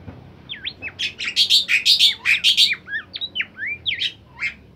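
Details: Bimoli bird singing a song described as very melodious and lively, used as a tutor recording: a rapid run of loud whistled notes, sharp upslurs and downslurs with bright chirps, about three per second, then spacing out.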